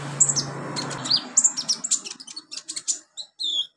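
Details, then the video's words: Olive-backed sunbird, tutoring recording for young captive birds: quick series of sharp high chirps and short downslurred whistles, speeding into a rattling twitter, ending with a drawn-out thin note. "MASTERAN KONIN/KOLIBRI NINJA buat konin pemula cepat gacor"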